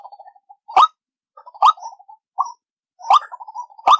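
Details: Lure call for trapping white-breasted waterhens: four hard, sharp croaks spaced unevenly, with quieter bubbling clucks between them.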